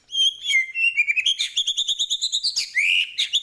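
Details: White-rumped shama, Medan type, delivering chatty full-isian song: high clear whistles, then a rapid, even run of bright repeated notes about three per second, ending in a rising slur.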